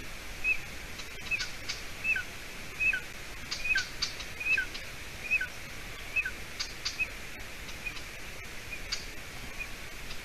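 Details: Golden eagle chick, hatched 9 May 2020, in a nest in Latvia on the evening of 30 June 2020; faint repeated high peeps with lower slurred tails, about every 0.8 seconds, fading toward the end amid background hiss and clicks.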